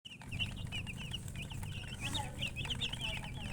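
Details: Baby chicken chicks chirping: many high, short peeping notes overlapping rapidly throughout, over a steady low hum.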